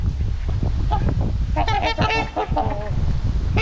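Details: In a winter flock of 28 trumpeter swans on the Huron River in Ann Arbor, Michigan, they give overlapping brassy, nasal honks. The clip was recorded around 2 pm on 25 February 2021 while the swans were fed corn and some flew in and out. A steady low rumble of wind and water runs underneath.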